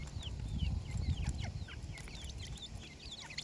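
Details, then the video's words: Grey francolin (teetar) chicks give thin, high, down-slurred peeps while feeding, scattered at first and then crowding together toward the end, over steady low rumbling noise. "grey Francolin voice,Teeter bird ke awaaz,teetar chicks"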